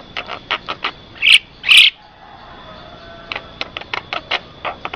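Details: Black-winged starling song for luring other starlings and tutoring caged birds: quick clicking notes, two loud harsh squawks, then a renewed string of sharp ticking calls.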